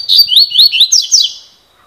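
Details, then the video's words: Double-collared seedeater in the cilada song style: about six high, rapid, rising slurred notes packed into just over a second, then the sound tails off. "COLEIRO FIBRA (CILADA)"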